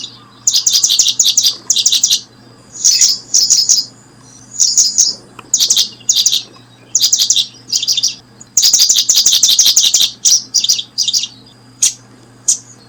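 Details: A brooding paddyfield pipit gives clusters of sharp, high chirps, some bursts dense and stuttering, others spaced out, continuing for about thirteen seconds over a faint constant hum.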